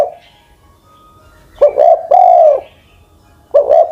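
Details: Spotted dove decoy bird past ten years of age delivering soft, low coos; after a pause, a clipped double note and a long smooth hoot, then another double note starts a new phrase.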